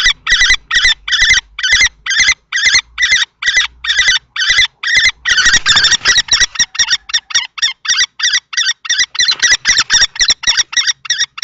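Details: A long confrontation between an older adult male and a juvenile male common kestrel over a nest box, Théding, 20 March 2024. Insistent, sharp, high cries repeat about twice a second for the whole stretch, with a brief blurred patch in the middle.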